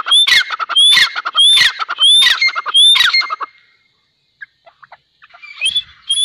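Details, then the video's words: A pair of grey francolins calling. Loud, harsh calls repeat about every 0.7 seconds, each with a rising whistled note over a rattling base. Five calls come in quick succession, then a near-silent gap with faint notes before calling resumes. "Dakhni Teetar Ka Pair | Teetar Awaz"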